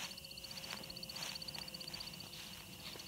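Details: A male American Woodcock's spring sky-dance display flight at dusk, around late March in Minnesota, as he spirals upward: the wings give a rapid, high, thin twittering, pulsing about four times a second.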